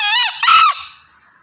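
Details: A male green junglefowl gives a brief harsh crow. A rasping opening note leads into a louder, strained second syllable that fades quickly into quiet.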